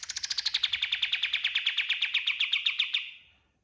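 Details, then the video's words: Energetic white-eye (kapas tembak) song used as a master recording to train other birds: a long rapid trill of about thirty sharp, buzzy notes that slowly drops in pitch and fades after three seconds. "SUARA KAPAS TEMBAK GACOR 100% DAHSYAT UNTUK MASTERAN SEGALA JENIS BURUNG"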